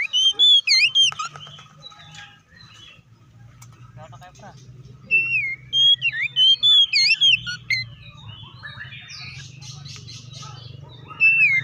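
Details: Oriental magpie-robin singing loud, varied whistled phrases in rapid bursts, with sweeping up-and-down notes and sharp chips, separated by a quieter gap with faint background hum; used as a lure song to provoke rival birds.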